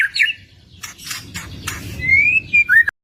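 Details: White-rumped shama giving short whistled notes and a long, smooth rising whistle ending in a quick downslurred note, with faint background rustle and clicks.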